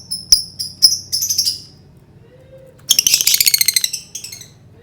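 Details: Lovebird sound meant to provoke other birds: a few sharp high chirps and a short trill, a pause, then a loud burst of rapid, dense twittering chatter.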